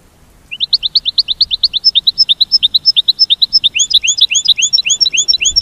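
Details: American goldfinch in a sustained mating-call series: loud, rapid high chirps and slurred twitters delivered in a near-continuous rhythmic stream for about five seconds.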